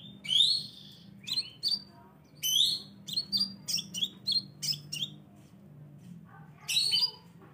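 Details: Scarlet minivet lure call, with high, thin whistled notes in short bursts, about one or two a second, over a faint low hum.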